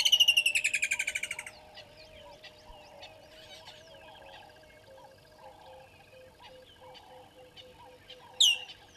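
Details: At 09:09 on 25 December 2021, at Gowrie dam waterhole, Djuma, Sabi Sand, South Africa, with waterbucks present, a Water Thick-knee gives a loud, fast run of about a dozen shrill piping notes, then falls quiet; softer chirps and low, repeated hooting from other birds continue.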